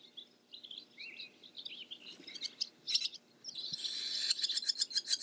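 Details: Barn swallow twittering softly at first, with scratchy notes and a short rising whistle, building into a loud, buzzy, rapidly pulsed rattle-like passage at the close.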